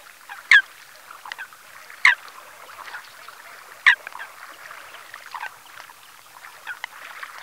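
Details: Eurasian coot at the salt pans of Ses salines de Mongofre, Menorca, morning of 6 February 2020; three loud, abrupt clipped calls spaced over several seconds amid softer scattered notes from other birds.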